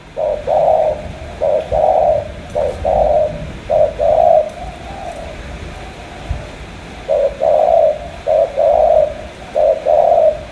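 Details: Spotted dove, Cà Mau, Vietnam: mellow low coos in clustered groups, a quiet gap in the middle, then a fresh burst of several short hooting notes.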